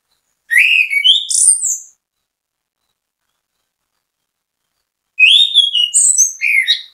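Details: Orange-headed thrush, known locally as anis kembang, giving a bait song to draw other birds into singing: two separate rich phrases of rising whistles and high sweet notes, each about 1.5 seconds, divided by three seconds of silence.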